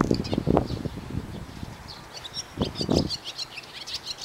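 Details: Two barn swallows perched together on an overhead power line, unbothered by the camera, give rapid high twittering notes and short chirps, broken by low bumps of handling or wind noise.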